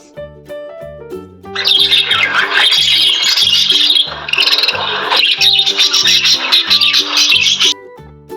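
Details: Pet lovebirds chattering continuously, a dense stream of shrill high chirps and squeaks for about six seconds, with light children's music underneath.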